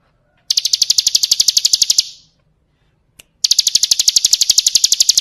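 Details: Bar-winged prinia song used to train cage birds: a rapid string of high, metallic repeated notes, a pause broken by one soft click, then a second equally fast burst.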